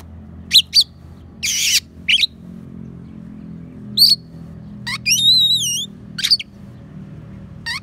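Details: Oriental magpie-robin song filled with imitations of sparrow and prinia, used as a tutor recording for songbirds: sharp high chirps, a harsh rasping burst, and a wavering whistled phrase repeated in loops, separated by short silences.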